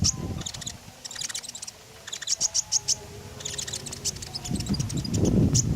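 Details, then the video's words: Common iora singing actively, used as a lure to prompt other birds to sing: bursts of rapid, high, sharp chirps and short trills in clusters, with low rumbling noise at the start and end. "Tembakan JITU Burung KONIN Gacor, Sangat Cocok buat Pancingan."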